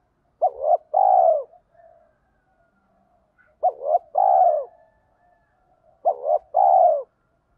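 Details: Spotted dove singing in the thổ pha đồng voice style, used to provoke wild doves into cooing: a two-part low coo, then a long drawn-out falling note, repeated three times about every 2.8 seconds, with soft murmurs between phrases.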